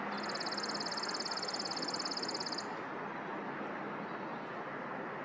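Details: Singing chipping sparrow delivers a single rattling trill of rapid, uniform high chips lasting roughly two and a half seconds, followed by a steady hiss of broadband background noise.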